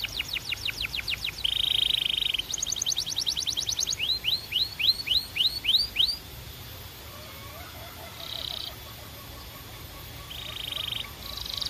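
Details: Belgian canary song made of rapid high trills, a flat buzzy roll, then a run of six rising whistled slurs, followed by quieter pauses and brief buzzy rolls over constant background hiss.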